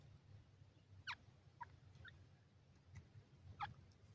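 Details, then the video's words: Partridge giving a few short, sharp, downslurred call notes, widely spaced, with a steady low hum throughout. "partridge voice"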